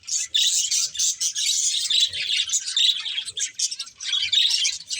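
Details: Budgerigar breeding pair chattering in bursts of rapid, bright, scratchy chirps, rising and falling in loudness with short gaps between phrases.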